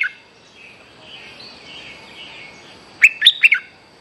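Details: Bulbul (merbah lekir), a young bird in energetic form, used as a lure call, gives a soft, bubbly warble, then a quick burst of four loud, liquid notes near the end.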